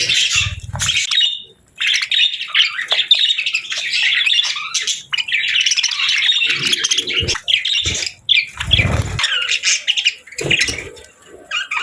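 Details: Budgies kept as pets give a long run of bright twittering chatter, busy and scratchy, broken by short gaps and a couple of muffled low bumps like wing flutters or cage knocks.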